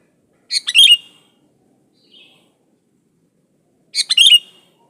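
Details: Sooty-headed bulbul in lively, unmixed song, used as a lure to get other bulbuls singing: two short bursts of bubbly, slurred whistled notes about three seconds apart, with a faint soft note between them.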